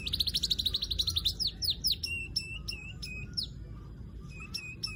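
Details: Weaver giving a fast run of high chirps that slows into sharper, downslurred notes, then a few scattered chirps after a pause, over faint low background rumble.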